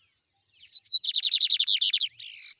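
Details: A lined seedeater gives its trem bala song. Brief high whistles open it, then a quick, rhythmic trill of about twelve downslurred buzzy notes, ending in a harsh rasping burst.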